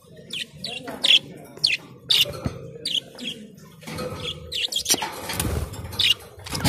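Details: Blue, green, red and yellow budgerigars chirp in a steady series of short, high, slightly rising notes roughly every half second, over a low background hum.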